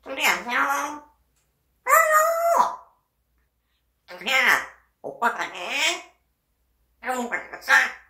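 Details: Pet parrot imitating human speech: five rich, voice-like phrases about a second long with wavering harmonic tones and falling inflections, separated by short pauses, heard indoors.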